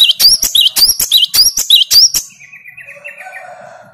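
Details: Great tit replying to a lure recording of a strongly singing great tit: a loud, rhythmic series of high, sharp notes with upward-curling whistles, repeated in quick pairs for two seconds, then a faint low trilling tail.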